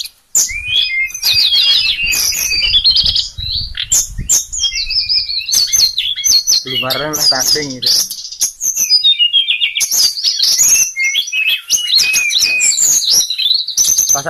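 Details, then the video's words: Sulingan songbird pouring out a rich, fast, varied song of high whistles, twitters and chattering trills almost without pause, with a man's voice speaking briefly midway. "merdunya suara burung berkicau sulingan"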